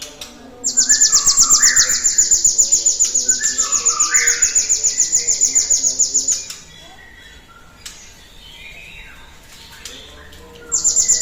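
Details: Lure recording of a cinereous tit to prompt other birds to sing: a sustained, very high, rapid trill of sharp repeated notes for nearly six seconds. Lower whistled slurs from other birds sound underneath, and a new trill begins at the end.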